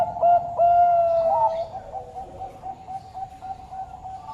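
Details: Bangkok turtle dove giving a few drawn-out mellow coos, one rising slightly at its end, before the sound fades to faint, quiet notes.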